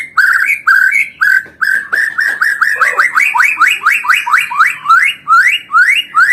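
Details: Loud white-rumped shama song to provoke rivals, a fast series of upslurred whistled notes repeated about twice per second, each sweeping upward, building into a steady rhythmic run.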